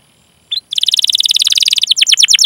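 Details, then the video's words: Canary rolled song used as a lure to get canaries singing: a single short chirp, then a dense, fast, buzzy trill that breaks into quick falling notes. "Masteran Suara Burung Kenari Gacor Panjang cuit cuit Ngerol untuk Pancingan Kenari!"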